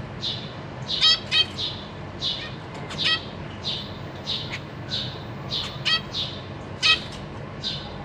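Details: Zebra finches in a cage on 14 April 2023, parents busy feeding their babies: a steady chatter of soft high cheeps mixed with repeated short nasal beeps from several birds.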